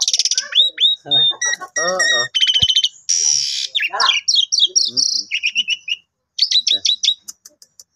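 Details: Asian pied starling kept as a pet, singing vigorously while its owner plays with it: grating chatter, a loud buzzy rasp, rapid whistled trills and scattered sharp chips, nearly continuous for eight seconds.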